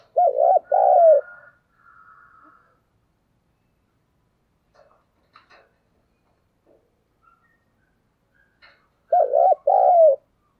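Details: Spotted dove cooing as a decoy call meant to stir other doves quickly, recorded in 2022: a low, hoarse two-part coo opens, a faint trill follows, then near silence before another strong double coo closes.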